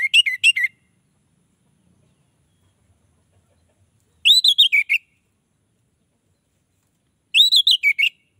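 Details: Orange-headed thrush song, meant to pull in other orange-headed thrushes, given as short phrases of arched whistled notes followed by a few quick chirps, three phrases spaced about three seconds apart.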